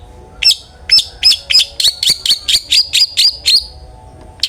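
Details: Long-tailed shrike in loud 'ngeplong' style song, used as a lure to get other shrikes singing: a rapid run of about a dozen sharp, high, slurred notes, roughly four per second, then a pause and one last note.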